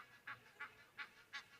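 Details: Egyptian geese with their grown goslings on the left-hand side of a waterhole: four short, nasal honks spaced about a third of a second apart over a soft background hiss.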